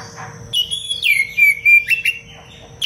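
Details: Oriental magpie-robin (kacer) singing in the dense, sharp 'cengkok rapat pedas' style, recorded as masteran for training other birds. After a quiet start come loud whistled notes, sliding down then rising in quick bursts, over a steady low hum.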